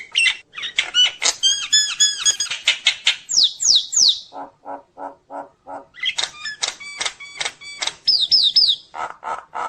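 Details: Nias hill myna in vigorous, phrase-filled song used to provoke other mynas: dense harmonic notes and swooping whistles, a pause, a series of five low hollow notes, then more rapid whistles.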